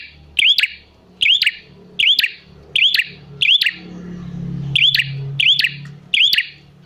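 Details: Prinia lure calling meant to make prinias answer: bright clicking phrases with a rising hooked whistle, repeated briskly, and a brief low rumble in the middle.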